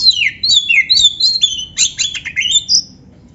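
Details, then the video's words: Oriental magpie-robin in gacor style, its song filled with canary phrases, used as a training recording for other kept birds: loud, varied whistled phrases, several sliding downward, mixed with quick chirps and sharp notes, closing on a high clear whistle near three seconds. "suara Kacer gacor isian komplit | Masteran Kacer ISIAN Burung Kenari"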